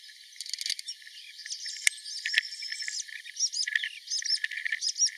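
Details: A melodious warbler at Mila, Algeria, on 4 May 2021 delivers a fast, rambling run of high chirps, twitters and short whistled phrases over a soft background hiss.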